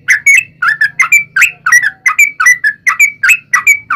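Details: Yellow-vented bulbul singing a fighting-style long rapid song as a lure for other bulbuls; quick bubbling whistled notes in pairs over a faint low hum.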